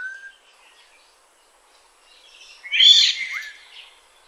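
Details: Black-naped oriole in Kaohsiung, Taiwan, 9 May 2016: after a brief whistle and a pause, a loud rasping, nasal squawk lasting nearly a second, trailing into a short falling note.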